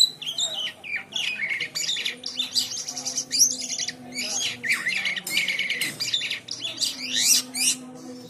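A White-shouldered Triller sings an unbroken, busy run of high chattering trills, sharp chirps and quick rising notes, over a faint steady low hum.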